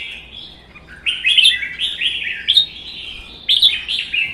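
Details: Red-whiskered bulbul duel song between caged birds, one wild-caught and kept a season. After a quiet second, quick sliding warbled notes, then two lively phrases with accented high starts.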